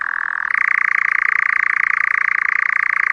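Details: Summer-night churring of a European nightjar in the forest. An insect-eating summer visitor that arrives in May. A steady, fast, rattling trill starts slightly lower, then jumps up and runs on evenly without a break.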